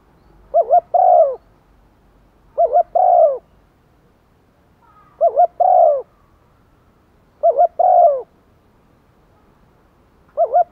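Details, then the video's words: Spotted dove used as a lure for wild doves, cooing steadily in 'gáy gọi một hậu' style. Five phrases roughly every two seconds, each a quick wavering pair of notes ending in a drawn, falling hoot. "chim cu mồi kích bổi nhanh nổi, bổi nghe rất xiêng gáy/ chim cu mồi gáy thúc và gáy gọi một hậu"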